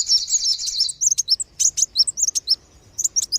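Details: Kolibri wulung and sogon sunbird lure, used to draw wild birds down: a buzzy rapid trill at the start, then well-spaced sharp high chirps and downslurred whistles, nearly one per second.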